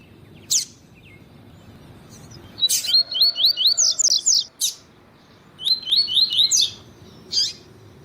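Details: Double-collared seedeater (Sporophila caerulescens), male singing with a female calling, used to stir captive males to sing: quick bursts of high, slurred, rising notes in rapid runs, broken by sharp single chips, over a faint low hum.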